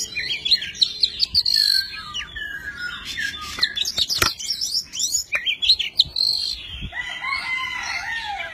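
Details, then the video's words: Tame Oriental magpie-robin displaying with wings and tail spread while delivering a many-voiced song: quick slurred whistles and chirps, a few sharp clicks, and softer lower warbling toward the close. "Chim chích chòe than thuần, hót múa cực hay"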